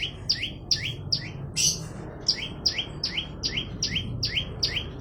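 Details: Olive-backed tailorbird singing vigorously: a fast series of paired high notes, each a sharp descending chip followed by a short upward slur, repeated about every 0.4 seconds, with one louder harsh burst midway and a low background rumble.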